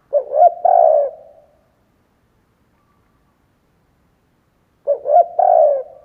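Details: Lure cooing by a decoy spotted dove meant to attract wild doves; two identical three-note coo phrases, short rising notes then a long coo, separated by nearly four seconds of silence.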